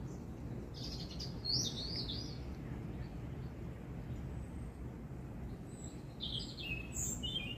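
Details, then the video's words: In a Hidcote spring garden with anemones, a robin sings brief, sweet, high-pitched warbled phrases separated by pauses, set against constant low-pitched background rumble. "Robin singing"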